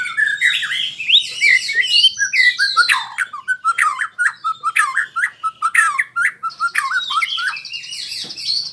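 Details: White-rumped shama learning rolling trills: fast varied whistles and warbles, then a chain of sharp chipping notes, ending under a continuous buzzy high trill.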